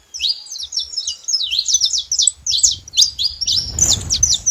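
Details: Saffron finch chattering in a fast, continuous line of high twittering chirps; a broad rustling noise rises toward the end.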